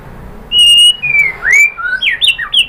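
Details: Murai batu song to goad other birds into answering: one long pure whistled note, then falling and rising slurred whistles and a quick run of short looping notes.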